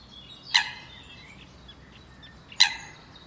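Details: A Eurasian coot (common coot, Fulica atra) gives two sharp, explosive, metallic calls about two seconds apart, with a quiet, still background between them.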